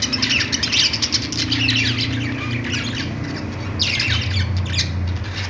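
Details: Budgerigars squawking and chirping in bursts of rasping, high notes, with a steady low hum running underneath throughout.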